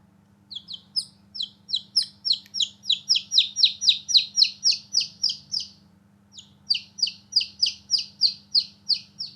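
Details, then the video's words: Newborn chicks playing outside give high, downward-sliding peeps, repeated steadily about three to four times a second. The series pauses briefly, then resumes, over a faint low hum. "Newborn Baby Chicks Chirping Sound"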